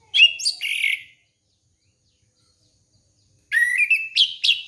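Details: Orange-headed thrush song played to prompt a young bird: two loud bursts of rich, warbled phrases, the first near a second long, the second a chattering run after a three-second silence, with no other sounds.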